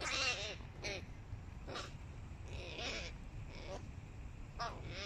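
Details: Hooded crows, young birds competing with adults: harsh, hoarse caws given in short bursts about five times over a few seconds, some spaced closely, against a steady low background rumble.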